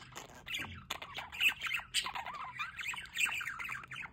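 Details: Budgerigars near a solar water fountain, giving dense overlapping warbling chatter with harsh squawky notes and quick chirps, continuous throughout, several birds calling at once.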